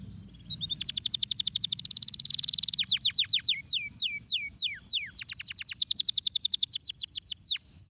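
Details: A canary's stimulating song: a rapid high trill, then widely spaced, deep downward sweeps, followed by another fast trill that speeds up and then slows again.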